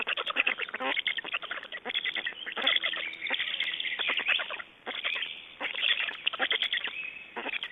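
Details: Estonian black storks at the nest, 29 May 2012, changing over and feeding; repeated bursts of fast, scratchy clicking pulses in runs of one to two seconds, separated by short pauses.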